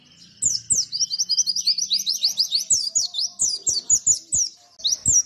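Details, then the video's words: Tutor song of a caged white-eye: a long, rapid, unbroken stream of high, sharp rising chirps. Soft ticking clicks sound in the background. "Masteran Pleci BIKIn Nembak MoLORRR"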